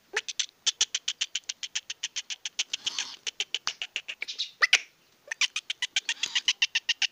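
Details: Excited young male Sindhi black francolin: a long run of sharp, evenly repeated clicking notes, almost four a second, broken by one short gap before the chatter resumes.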